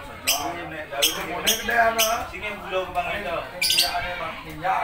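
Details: Harsh, loud lovebird squawks in quick irregular bursts over continuous warbled chattering notes.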